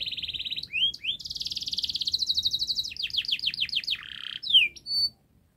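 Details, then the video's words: Canary in long, fast, close-knit song meant to prompt young canaries to sing: a steady high roll, a rapid pulsing trill, a series of descending slurs and a buzzy note, then sudden silence. "Kenari Gacor Panjang Speed Rapat Untuk Pancingan kenari Paud Agar Cepat Gacor"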